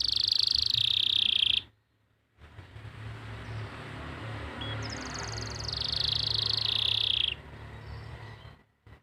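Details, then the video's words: Canary training song from Pati, Central Java, used to prompt stalled or young canaries to sing: high trilled phrases at the start and again midway, separated by a pause, over a steady low hum. "masteran untuk memancing burung kenari yang macet bunyi"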